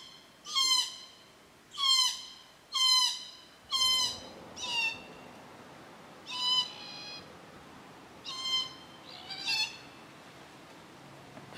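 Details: Glossy black cockatoos (Calyptorhynchus lathami) give about eight harsh, rasping, slightly wavering calls, roughly one a second, with faint hiss. They are at a nursery and feeding ground at Cootharaba, visited June–September and arriving daily at 4.30pm to feed on Casuarinas.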